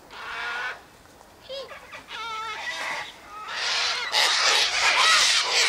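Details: A flock of wild sulphur-crested cockatoos (Cacatua galerita) at a backyard feeding spot by an eastern gate, eating seed, calling together in harsh, wavering squawks that build into loud, raucous screeches.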